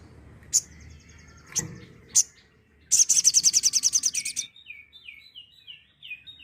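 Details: Sooty-headed bulbul, tembakan-style song used as a master recording for training songbirds: a few sharp isolated chirps, then a fast high rattling trill of about fifteen pulses, followed by short descending whistled notes repeated in a series.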